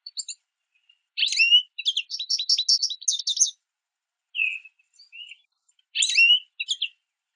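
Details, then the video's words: A small group of American goldfinches at backyard mesh feeders, pulling sunflower seeds while eating and calling to each other: bright twittering chirps and quick buzzy warbled phrases in bursts, with short slurred notes between and a clear background. "Goldfinches Chirping at The Bird Feeder"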